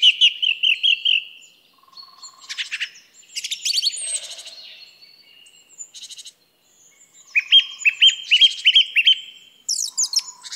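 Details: A song thrush sings loud, well-separated phrases. It opens with a whistled note repeated five times, moves to rattling high trills and scratchy figures, then returns to a run of repeated whistles. Softer low notes sound in between.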